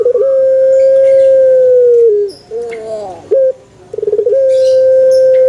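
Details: A male Barbary dove gives a sustained, even, flute-like hoot of about two seconds that dips at the end, then a bent, wavering phrase and a stuttering, rolled opening into the next long coo.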